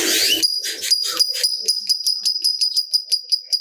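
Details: Lovebird giving a long ngekek, played to stimulate other lovebirds into calling: a burst of noisy rustling, then a rapid run of shrill, piercing chattering notes at about five per second, continuing steadily to the end.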